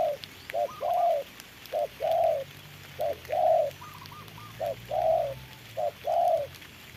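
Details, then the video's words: Spotted dove used as a trapping decoy, calling while contesting a wild dove in the rain: low, mellow coos in short-then-long phrases, each drawn-out note throaty and slightly falling, repeated steadily for several seconds, with faint higher notes between. "Bẫy chim cu gáy mồi đấu cùng bổi trời mưa"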